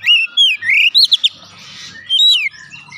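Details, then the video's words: Oriental magpie-robin lure song: a drawn-out whistle followed by rising slurred notes, a quick trio of clipped chirps, then a falling whistle, over faint low background rumble. "pancingan Kacer langsung buka paruh GACOR"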